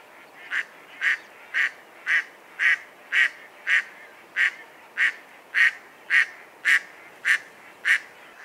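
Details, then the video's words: Mallard quacks repeated at a regular beat of about two per second, sixteen harsh nasal notes in a long sequence. "Mallard Bird Sound Call"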